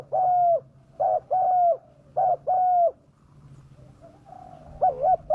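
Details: Lure recording of a spotted dove with a fierce voice for attracting wild birds: mellow paired coos, a clipped note followed by a longer flat hoot, three pairs, a quieter gap, then another pair.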